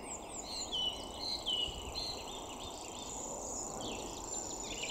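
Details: Common grasshopper warbler (Locustella naevia) at Pennington Flash, Leigh, 28 April 2020, giving a high, unbroken, insect-like reeling song like a fishing reel spinning out, while other birds add short whistled and chirping notes.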